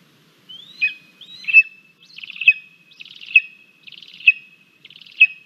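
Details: Rota, a Lesser spotted eagle chick in a nest in Latvia on 17 August 2022, crabby at breakfast after pushing her mother out of the nest, gives a high, thin whistle ending in a rasping chatter, repeated about once a second.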